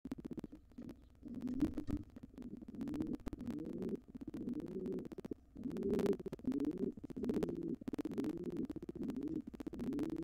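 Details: Wild pigeons, an intruding pair trying to take over a nest box after the resident pair's nestling fledged. Low, rolling coos repeat steadily through the recording, mixed with sharp scraping and tapping inside the box.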